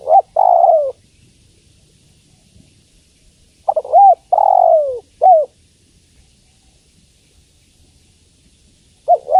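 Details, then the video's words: Cooing of a female spotted dove calling for a male: long falling hoots mixed with short curved double notes, in bursts separated by quiet pauses of about three seconds. "Suara Tekukur Betina Memanggil Jantan"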